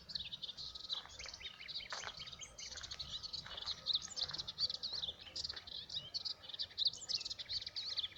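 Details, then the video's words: Melodious warbler recorded on 17 April 2017, singing a fast, continuous babbling chatter of high twittering and scratchy notes with no real pauses, faint and somewhat distant over a light background hiss. "Hypolaïs polyglotte"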